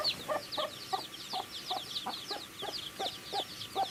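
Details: Baby chickens chirp over their food. Continuous high, falling peeps ride over a steady series of pecking knocks, spaced roughly every third of a second.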